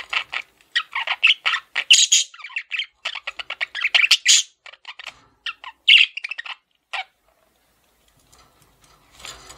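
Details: Male budgie chirping in rapid trains of short scratchy notes and squawks for about seven seconds, then falling nearly quiet with a few faint sounds.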